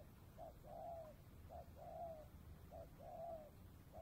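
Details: Spotted dove cooing on an afternoon near the Cambodian border during dove trapping; a short soft note then a longer, falling, hollow coo, repeated about every 1.3 seconds over a low rumbling background.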